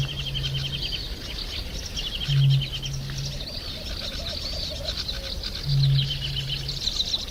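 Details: Eurasian bittern calling with three low, foghorn-like booms, each a short note then a longer hum, spaced a few seconds apart, while other birds trill and twitter in the background.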